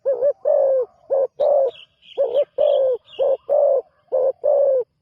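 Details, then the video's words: Spotted dove, a newly kept bird on its first training outing, gives deep cooing notes, each with a slight rise and fall, repeated in pairs about ten times across five seconds. Higher, softer notes sound faintly between them. "นกเขาใหญ่ต่อดิน ฝึกนกใหม่ออกฝึกครั้งแรกพอได้ยินเสียง"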